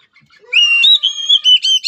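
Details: Oriental magpie-robin song used as voice-training therapy for a weak-spirited bird: a brief faint note, then a loud, clear, sustained whistled phrase with slight pitch shifts, ending in short broken whistles.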